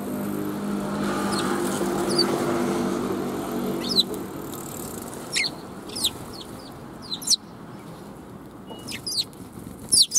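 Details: Sparrows coming out to greet someone along the outward route on 16 April 2021, giving sharp, high chirps at irregular intervals through the second half, after an opening stretch of low rumbling noise.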